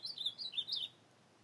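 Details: Ultramarine grosbeak singing at night in the field on 25 August 2024: a brief phrase of about seven quick, slurred, high warbled notes rising and falling, lasting under a second, then quiet.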